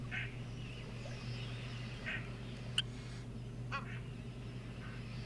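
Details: Egyptian goose calling at Mashatu on 17 October 2022 gives harsh, honking bursts, about four spaced over five seconds, over a steady low hum and faint background noise.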